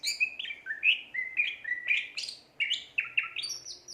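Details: A gacor cucak ijo, or greater green leafbird, sings a lively chain of whistled notes jumping between pitches, each short and slurred, in two bursts.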